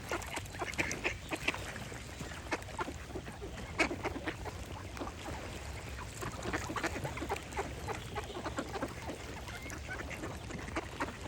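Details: Ducks quacking in a rapid, busy chatter of short harsh bursts, many overlapping, with birds singing in the background and a steady low rumble.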